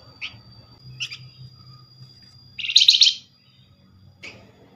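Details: Lure call of a Flamboyan for drawing replies from other birds. Single thin chirps, then one loud, buzzy, rattling burst of about half a second, and another brief chirp.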